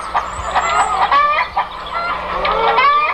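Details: Farm chickens clucking and cackling together in overlapping calls, with a steady low mechanical hum throughout.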